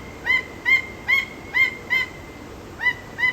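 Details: Zoo-kept Peruvian thick-knee repeating sharp, piping whistles, seven notes in just over three seconds. Each note rises then flattens, with a brief pause before the last two, against a background hiss.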